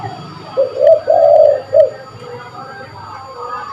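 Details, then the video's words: Spotted dove giving a lure call: one mellow phrase of two short notes, a long drawn-out coo and a final clipped note, and then quiet background chatter. "Burung tekukur gacor pas buat pikat burung"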